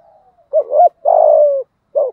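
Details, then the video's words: Close spotted dove cooing in the 'giọng thổ' deep voice used to provoke a rival male: a quick wavering double note, a long steady low coo, then the start of the next phrase. "Tiếng cu gáy giọng thổ thúc gù kích bổi hiệu quả"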